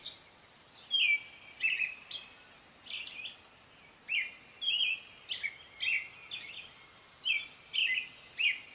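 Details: American robin singing: clear whistled caroling phrases, short rising and falling notes delivered in groups of two or three with brief pauses, steady over faint background hiss.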